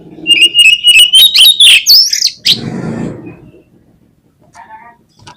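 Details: Oriental magpie-robin, a kept songbird, in a lure song: a steady whistled note rising into quick sweeping slurs, followed by a soft rustling noise and quiet short calls.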